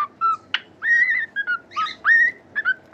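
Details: Pet cockatiel singing: a string of clear whistled notes, some flat and some rising or bending, interspersed with brief harsh chirps, delivered in an irregular phrase over quiet background.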